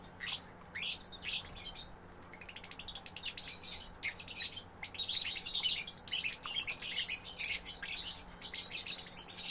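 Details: Young lovebird singing gacor: a sustained torrent of shrill, scratchy chirps and rapid clicking trills, growing louder and denser after the first few seconds, with a faint steady hum.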